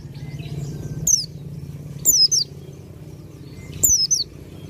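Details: White-eye of the Dakun type singing in full ngalas style, close to nembak: three bursts of thin, high, downslurred chirps about a second apart over a steady low hum.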